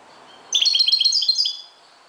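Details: One quick burst of Moroccan goldfinch dawn song, about a second of bright, rapidly repeated tinkling high notes.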